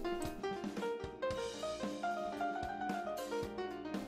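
Instrumental music with drum kit hits, snare and piano-like notes throughout, and no animal voice.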